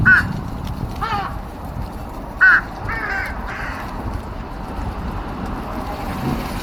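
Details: Crows recorded March 13, 2026, squabbling as soon as they began feeding; a few short harsh caws and rough scratchy calls come in bursts about a second apart, then fade to a low rumbling background.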